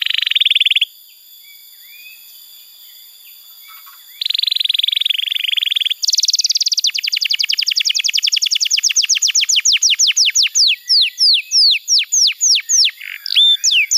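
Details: Canary tutor song aimed at getting silent young canaries to sing. A short buzzy trill and a soft pause lead into lower and higher buzzing trills, then a long run of repeated notes that slows into separate whistles.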